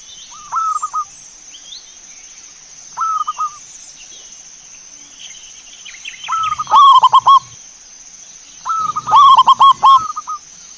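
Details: Zebra dove song played as a lure to draw a bird into singing: repeated phrases of quick, trilling coos, two softer ones followed by two louder, fuller bursts, with sharp clicks and higher chirps over a steady high hiss.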